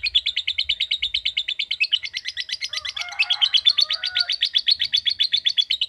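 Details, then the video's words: Lovebird in a sustained 'ngekek' trill, 'ngetik' style: a rapid, even string of bright high chips that holds its pitch for the whole stretch, with a brief softer chirping underneath midway. "Love Bird Ngetik Cara Cepat Memanggil Love Bird Agar Ngekek Panjang"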